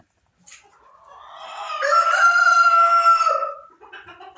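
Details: Silkie rooster in a nesting box giving one drawn-out, steady harmonic call that swells over about two seconds, holds level, then fades, with a few faint clucks after.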